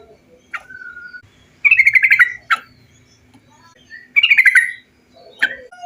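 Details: Bulbul song meant to prompt birds to sing: short sharp notes between two rapid, stuttering phrases that fall in pitch, about two and a half seconds apart, over quiet background.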